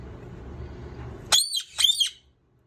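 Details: Indian ringneck parakeet at lunch time gives two loud, harsh squawks about half a second apart, each with a sharp rise and dip, after a stretch of low background rumble; silence follows.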